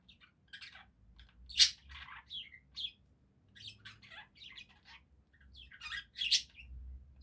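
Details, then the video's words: Singing budgerigars warble in a rapid, chattering stream of scratchy chirps, squeaks and sharp high notes, with brief pauses between bursts. "Пение воонистых попугайчиков"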